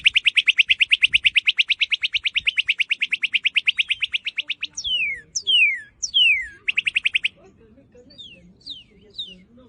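Cardinal singing a fast, even series of about ten bright chips per second, then loud, clear whistles sliding steeply downward, then another quick chip run.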